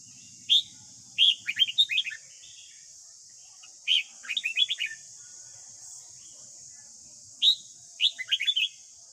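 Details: Morning song of a red-whiskered bulbul, used to train a young captive bird to sing: three rapid phrases of clear, tumbling whistles about three seconds apart, with a constant high hiss behind.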